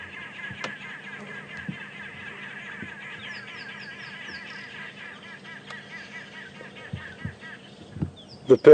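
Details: On a sunrise game drive on 14 December 2014, near a bachelor herd of impala and helmeted guineafowl, Arrow-marked Babblers keep up a loud, harsh, continuous chattering chorus of rapid repeated notes, with a few sharp knocks and clicks nearby.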